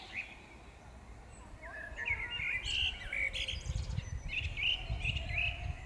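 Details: Birds singing in the Powsin botanical garden, Poland, in May 2016: bright chirped and warbled phrases repeated in short bursts, with a lower whistle and rustling low outdoor noise underneath.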